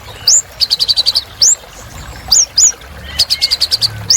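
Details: Van Hasselt's sunbird (Kolibri Ninja) singing energetically as a training aid for birds that have gone quiet: high up-slurred whistles broken by fast, evenly pulsed buzzy trills of six or seven notes, about fifty phrases a minute.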